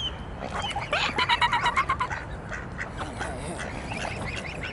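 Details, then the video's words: Swans asking for food at a park pond in Dresden's Großer Garten: a quick burst of rhythmic, nasal honks in the middle, framed by mixed calls and general background noise. "Swans saying: "Give us food or we will die!""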